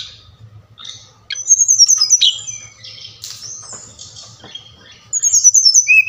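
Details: Brown-chested jungle flycatcher song used to stimulate lazy captive birds: bursts of high, thin whistled trills and sweeping notes separated by quieter scratchy passages, with a steady low hum in the background.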